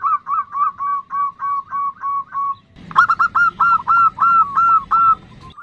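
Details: Female zebra dove's nutut call to a male: a regular series of rounded, hoarse coos about three per second, then after a cut a louder, sharper run of upturned notes.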